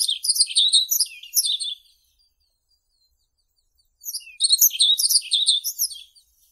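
Yellow-throated bunting giving two short, high, twittering song phrases of quick jingling notes about two seconds apart, with silence between.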